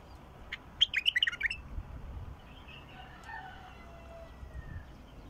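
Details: Wild bulbul singing one short burst of fluty, warbling notes that jump up and down, followed by faint distant whistles over low background rumble.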